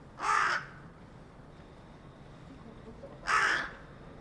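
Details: Perched on a utility pole in a residential neighbourhood on 4 February 2021, a carrion crow gives two harsh, grating caws three seconds apart amid quiet background hiss.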